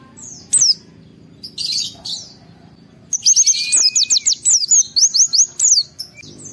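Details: Highly agitated white-eye song used to spur other white-eyes to sing: scattered high chirps, then a fast run of repeated thin whistled notes arching up and down, about ten in quick succession.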